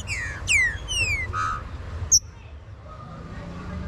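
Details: Green-winged saltator warm-up song: a few strong falling whistles in quick succession, then a short high click and near silence with a faint low hum.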